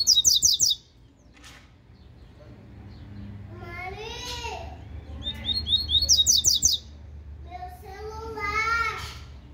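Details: A captive-bred double-collared seedeater gives two brief bursts of rapid, high, buzzy twittering song about six seconds apart, with a child's babbling voice filling the gaps.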